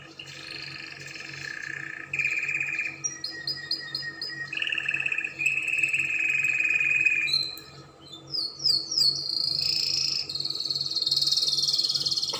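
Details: Song of a Spanish Timbrado canary, a chain of varied phrases: sustained ringing trills at changing pitches, short bursts of quick falling notes, and a long rising rattle toward the end.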